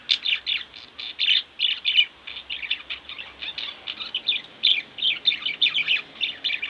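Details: Two pet budgerigars chattering continuously, dense bright chirps and warbled twitters repeating several times a second with hardly a pause.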